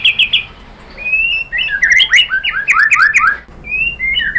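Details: White-rumped shama song aimed at getting captive birds singing: a quick high trill, a drawn-out whistle, then a jumble of rich sliding whistled notes and scratchy chatter.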